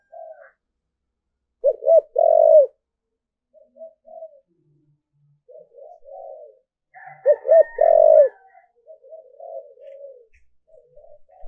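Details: Decoy spotted dove calling to attract wild doves: two loud phrases about six seconds apart, each two quick coos and a long coo, with softer answering coos and a brief higher squeaky tone between.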